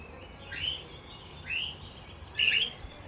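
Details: A lutino cockatiel, housed with budgies and lovebirds, calls three times: sliding, upward-bending whistled chirps about a second apart, the last one loudest and sharpest.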